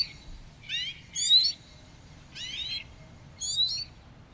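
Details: Eurasian siskin, a small finch once often kept caged at home in Russia, giving rapid twittering, slightly buzzy high phrases in short bursts with pauses between, low rumble underneath.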